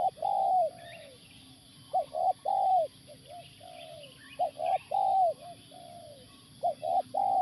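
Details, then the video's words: Spotted dove at a factory site, calling to a live decoy during a luring session: loud low coos in repeated phrases of short notes ending in a longer falling coo, roughly every two to three seconds, with faint chirps of other birds behind. "pemikat tekukur"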